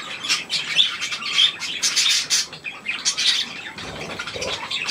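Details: Young budgerigars with adults around millet, 3 May 2024, uttering loud scratchy squawks and a few thin whistled notes in irregular bursts, quieter toward the end.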